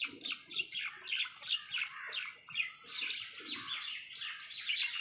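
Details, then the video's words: Angry crows fighting over food, one tearing a leaf: harsh, scratchy caws repeat rapidly in overlapping bursts about three to four times a second, with several birds calling at once. "crow bird live crowing sounds | crow torns the leaf angrily |angry kauwa ki awaaz Crow Sound"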